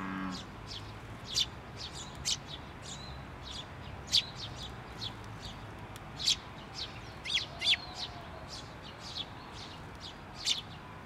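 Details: At a Tenmangu shrine on 16 May 2023, a chick sitting on a post calls while a parent returns: sparse, sharp high chirps spaced about one to two seconds apart, occasionally bunched in threes.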